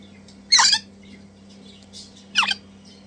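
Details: Two Crimson Rosella chicks, hand-fed and eating enthusiastically: two loud, raspy squawks about two seconds apart, with faint softer calls between and a steady low hum underneath.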